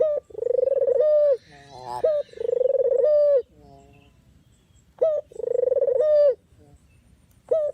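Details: Barbary dove, an original recording for trapping lures: three long purring coos with rough notes in between, then a near-silent pause and a brief closing note, over faint background hiss.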